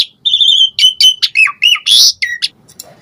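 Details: Asian pied starling singing a vocal song full of varied fill-in phrases, used as a lure to provoke other starlings to answer: a rapid run of clear whistles, rising and falling slurs and a harsh burst near the end.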